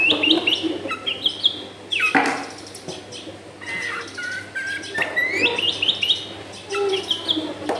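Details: Long-tailed shrike in full song, meant to stimulate a sluggish bird to sing, recorded at home in a busy neighbourhood: rising stepped whistles and chatter, interrupted by two loud harsh rasping bursts, over a constant low hum.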